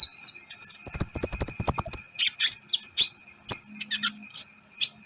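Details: Vigorous song of a sunbird (kolibri ninja), used to make other birds excited; a fast, very high buzzy trill of even pulses, then scratchy chirps and twitters, with a low brief hum late on.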